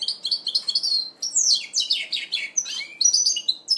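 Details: First-moult goldfinch mule from 2012 delivering a lively, high-pitched warbling song: quick twitters, downward-slurred whistles and buzzy trills, repeated in tight phrases with barely any gaps.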